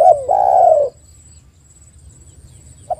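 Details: Spotted dove used as a lure to make other doves call: a brief hooked note, then one long, sustained, gently falling coo, followed by near silence and a faint start of another phrase.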